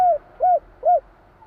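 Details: A spotted dove of the Javan 'kuk 3' style coos three times in steady succession. The notes are low, rounded and slightly down-curved, about half a second apart, against a quiet background.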